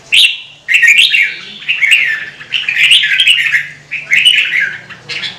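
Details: Red-whiskered bulbul from a Vietnamese recording aimed at stimulating song, pouring out an almost unbroken chattering warble of bright, rolling notes, dipping briefly between phrases, over a quiet steady hum.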